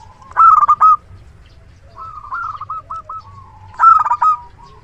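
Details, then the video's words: Singing local zebra dove with a strong voice, a decoy for luring: two loud bursts of quick staccato coos frame a quieter, stuttering series of rolled notes. "Perkutut lokal gacor suara besar PIKAT ANDALAN"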